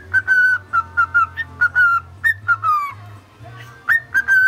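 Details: Male cockatiel kept as a pet, whistling his attempt at the Mickey Mouse March: pure steady whistled notes, several held, some dipping or gliding downward, in a tuneful rhythmic phrase with brief gaps; soft low hum in the background.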